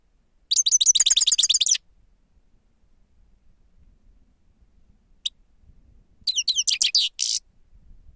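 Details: Lure recording of a Grey-crowned goldfinch ("sava"): a rapid burst of about a dozen metallic twittering notes, a long pause with one lone chirp, then a second shorter buzzy twittering run.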